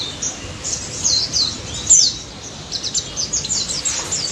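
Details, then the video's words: White-eye in lively song, recorded as a lure for silent white-eyes: patchy bursts of very high, thin chirps and short trills, quieter in the middle, with faint background noise. "BURUNG PLECI DAPUT GACOR NGALAS NEMBAK"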